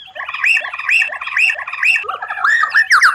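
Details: Murai batu (white-rumped shama) with strange, rare song phrases: harsh up-and-down notes repeated about every half second, ending in quick slurred whistles.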